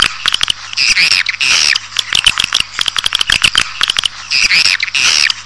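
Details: Swiftlets calling, from a recording made to pull a colony into a building: rasping high trills and buzzy chirps alternating with rapid click series, a low hum running beneath.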